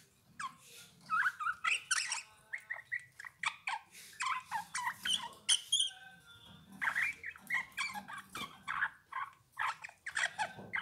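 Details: Song of a Eurasian bullfinch: dense sequences of creaky, twittering notes mixed with brief piping whistles, delivered in bursts with short pauses, loud and close.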